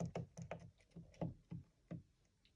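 A racing pigeon makes dull, hollow taps and knocks with its feet and beak, about three per second and unevenly spaced, in a quiet room.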